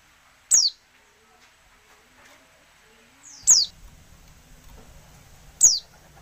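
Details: A female Oriental white-eye, recorded to provoke males into singing, gives three thin, very high notes, each a quick downward-sliding tsee, spaced a few seconds apart over a faint low rumble.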